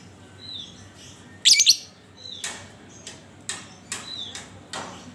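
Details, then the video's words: Lovebird sound played as a lure to start other lovebirds singing: one strong, scratchy, high chirp, followed by a string of shorter sharp clicks and ticks. "Panciangan Burung Lovebird"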